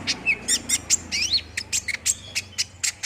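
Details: Olive-backed sunbird singing to spur another bird into quick song, with fast high chirps, twisting whistled slurs and sharp ticks in a quick irregular string.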